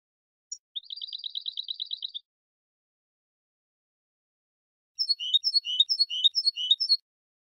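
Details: European goldfinch contest-training song: a rapid buzzy trill of even high notes lasting about a second and a half, then silence, then a phrase of sharp chirping notes.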